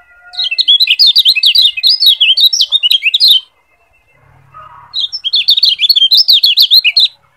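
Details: Tutor song of the Lombok yellow white-eye, kecial kuning, used to train other birds: two fast bursts of shrill, jumbled twittering notes, each about three seconds long, separated by a short pause.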